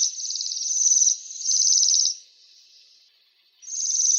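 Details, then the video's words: Waxwing giving high, thin, buzzy trills, two long trilled notes run together, a fading pause, then another trill starting; clean recording without background sounds. "Свиристель. Голоса птиц"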